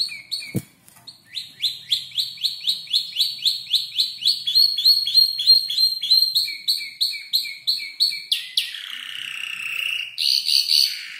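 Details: Five-month-old canary singing while learning to arrange its song from tutor birds, mimicking ciblek, klik-klik and prenjak lumut; long runs of rapid high repeated notes, about three per second, ending in a buzzy trill and bright chattering burst.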